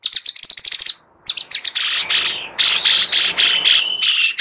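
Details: Sooty-headed bulbul (Pycnonotus aurigaster) song: a quick run of about ten sharp high notes, a brief pause, then a dense, scratchy run of chattering phrases.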